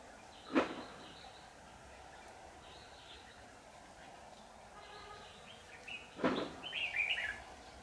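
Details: Decoy red-whiskered bulbul calling wild birds toward a trap on 15 July 2019: soft whistled warbling phrases scattered through, a brighter burst of quick notes near the end, two sharp thumps and low background noise.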